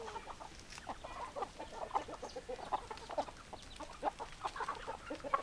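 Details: Domestic chickens in a flock clucking: a steady stream of short, clipped clucks from several birds, overlapping and irregular, some louder notes standing out near the end, with a faint background hiss.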